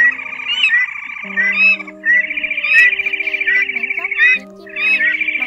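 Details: Red-legged crakes, male and female calling to the flock, in a recording used for night net-trapping of migrating birds, give long, rapid, buzzy trilled rattles, high-pitched and broken by brief pauses, over steady background music or hum.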